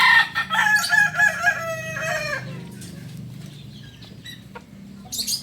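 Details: Kukuak Balenggek rooster, native to Solok in West Sumatra, finishing a long multi-part crow: rich harmonic notes held and wavering, then sliding down, followed by quieter clucking and a short burst near the end.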